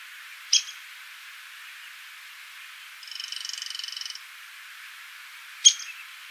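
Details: A Downy Woodpecker in Cincinnati, Ohio, gives two sharp, high 'pik' notes about five seconds apart, with a quick dry rattling series of high pulses between them.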